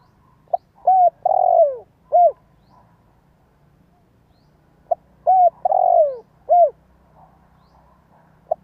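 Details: Decoy spotted dove whose calling is meant to set other doves cooing. Two phrases can be heard, each a clipped note, then a longer sliding coo and a closing short coo, with quiet gaps between them.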